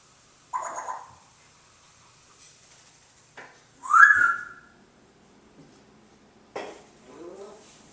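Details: Indoor pet parrot chatting about peanuts or popcorn gives a short hoarse note, then a loud swooping whistle that rises and bends, and a softer rising squeak near the end. Otherwise the room is quiet.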